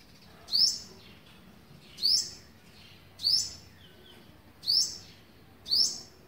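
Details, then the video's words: Olive-backed sunbird on 27 November 2019, on the eleventh day of feeding its young, gives five sharp, high chipping calls, each a quick bright note, spaced about one to one and a half seconds apart over a quiet background. "นกกินปลีอกเหลือง (OlivebackedSunbird)"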